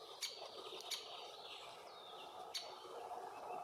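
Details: Great spotted woodpecker, a young male with its mother at a tree hole also shared by bees, Puszcza Bydgoska forest near Bydgoszcz, Poland, June–July 2023, Lumix FZ82: three sharp, short kik notes spaced unevenly over faint forest background.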